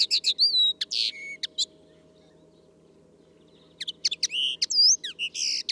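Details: Common linnet song: lively bursts of bright twitters and down-slurred whistles, then a pause of about two seconds, then another rapid chattering phrase of chirps and buzzy notes.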